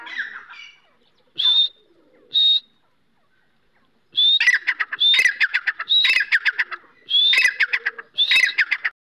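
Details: Grey francolin (dakhni teetar) call: two clear high whistled notes, a pause, then repeated phrases, each a sharp rising whistle followed by a rattle of harsh clipped notes, about one phrase per second.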